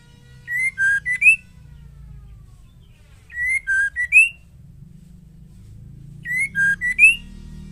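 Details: Female white-rumped shama song meant to provoke males to sing: one short phrase of three or four clear whistled notes, level, dipping and then rising sharply, repeated about every three seconds with faint low hum between.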